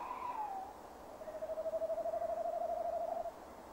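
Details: Male tawny owl calling near a nest box at 17:10 on 15 December 2015, captured by a nest cam. A short falling hoot is followed by a long, steady, quavering low note lasting about two seconds.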